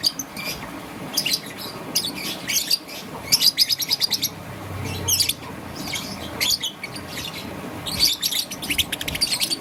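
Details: Young peach-faced lovebird, green and yellow, chirping in the morning: bursts of high, sharp chirps and rapid chattering notes, some grouped in quick trills, with short pauses between bursts.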